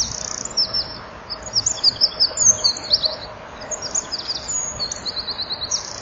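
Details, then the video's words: Winter dusk song of a Eurasian wren perched at a nest box, wings fluttering: a continuous stream of shrill trills, sharp whistled notes and rapid rattles, high-pitched and varied, easing slightly near the end. "WK zingt voor"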